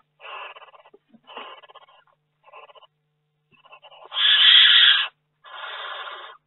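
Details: Barn owl in its nest box during a week in May; several short, ragged hisses followed by a loud, sustained harsh screech and a final rasping burst.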